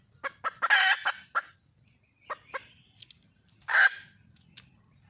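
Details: Female red junglefowl in the wild calling for a male: a cluster of short clucks leading into a loud grating cackle, a pause with a few soft notes, then another rough burst near the end.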